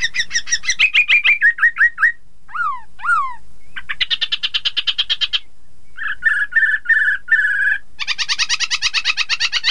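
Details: Chinese hwamei song played to prompt rival birds to sing along: rapid varied phrases, including descending slurred whistles, trilled rattles and buzzy repeated notes, changing every second or so.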